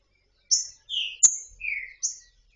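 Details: Free female green-winged saltator soliciting mating gives five clean, clear whistled notes in 2 seconds, alternating very high slurred whistles with lower falling ones, plus one sharp click, against silence.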